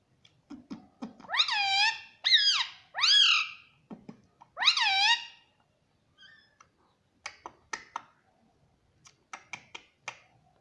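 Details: Rose-ringed parakeet kept as a talking pet indoors: four loud, rising-and-falling harsh screeches in the first five seconds, then softer clicks and short chirps.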